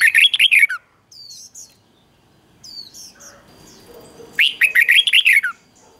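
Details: A red-whiskered bulbul song, played for cage birds to learn, gives two bursts of bright, rapid, warbling whistles separated by a few seconds of softer chirps and faint background chatter.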